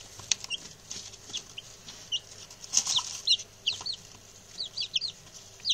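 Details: Six male chicks that arrived today and have settled well: scattered high peeps with a downward slur, sparse at first and then quickening into clustered pairs, with light scratching and rustling underneath.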